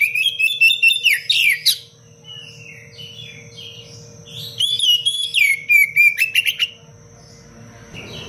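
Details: Oriental magpie-robin delivering dense, fiery song for tutoring other songbirds: two loud bursts of fast chips, clicks and downward-sliding whistles, separated by a quieter stretch of soft notes; low hum underneath.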